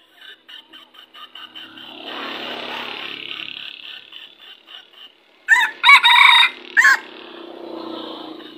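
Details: Red junglefowl crow: a run of short, quick, evenly spaced calls first, then a loud broken crow, with one more short note after it and faint background hiss.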